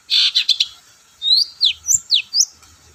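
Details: A long-tailed shrike sings a lure song meant to stir silent shrikes into singing. It opens with a rough, grating burst, then gives a string of thin, clear whistled slurs, some rising and some falling, each about a quarter-second apart.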